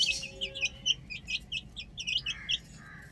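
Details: Chicks at play on a roof utter a loud, evenly spaced series of sharp, high, downslurred peeps, ending with a couple of lower drawn-out notes.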